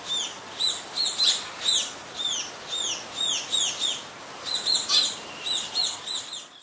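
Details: Calls of scaly-breasted munia in Ubon Ratchathani, Thailand, 26 March 2022, where it is a very common resident. Sharp, high downward-sliding notes come in quick clusters of several at a time, steady and repeated throughout.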